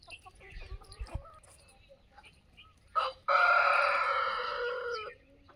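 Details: Aseel rooster at a free-range desi poultry farm in India with a low-cost shed. After faint clucks and a short harsh note, a loud, sustained crow holds steady for about two seconds before breaking off.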